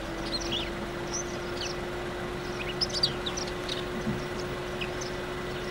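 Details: Indian silverbills feeding give soft, high chips and short twittering notes scattered irregularly throughout, over a steady low hum and background noise.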